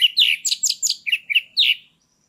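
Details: Captive orange-headed thrush singing a loud, continuous lure song meant to rouse a silent caged bird into breeding readiness; a fast run of about nine rich, varied warbled notes, each a short downward slur, with brief gaps.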